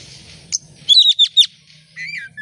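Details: Oriental magpie-robin (kacer) singing in full voice, played as a lure to make other birds sing: one short high note, then a quick burst of four sharp whistled slurs, a pause and a few softer chirps.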